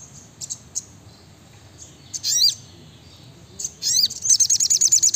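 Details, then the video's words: Sriganti or brown-throated sunbird: scattered thin chips, then two swooping high notes, leading into a quick run of sharp rapid-fire trilled notes typical of 'nembak rapat' song. "Masteran SRIGANTI (SOGOKONTONG) Gacor Nembak Rapat"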